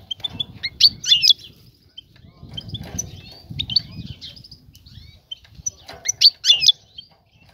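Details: A female European goldfinch calls to lure a male into mating, giving two bright clusters of sharp, high twittering notes separated by quieter chirps, with low background rumble between.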